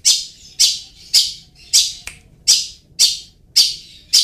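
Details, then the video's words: Long-tailed shrike lure sound to get reluctant caged birds singing: a series of harsh, grating calls repeated about twice per second, each sharp and quickly fading, over faint low background hum. "SUARA PANCINGAN BURUNG CENDET"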